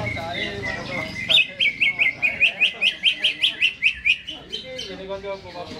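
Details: Ahead of being hung up, a caged greater green leafbird delivers a steady train of sharp, slightly hooked whistled notes, about three per second, after a softer warbling start.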